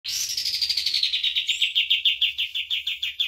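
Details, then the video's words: Common iora master song for training cage birds: a rapid run of about three sharp, downslurred notes per second, starting higher and settling lower, with a faint higher buzzy overtone throughout. "MASTERAN KAPAS TEMBAK GACOR DOR"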